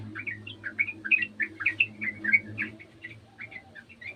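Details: Sooty-headed bulbul from a garden imitating the sound of another bulbul: loud, clear series of quick liquid chirps and short whistled notes, lively and bubbly, slowing slightly toward the end, with a low hum behind.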